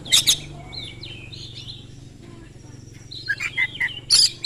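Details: Oriental magpie-robin in fast, continuous song meant to provoke other magpie-robins into singing back: a harsh burst, drawn-out thin whistles and slurs, then a quick cluster of scratchy notes and rasps, with a faint low hum behind.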